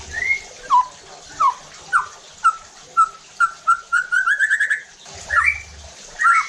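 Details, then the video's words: White-rumped shama singing a pancingan provocation song meant to provoke other shamas into loud, full singing: slurred whistles, then a series of short notes speeding into a rapid rising trill near 4.5 seconds, with low background hum. "PANCINGAN EFEKTIF JADIKAN MURAI BATU NEMBAK KASARR UNTUK MENINGKATKAN EMOSI DAN BONGKAR ISIAN"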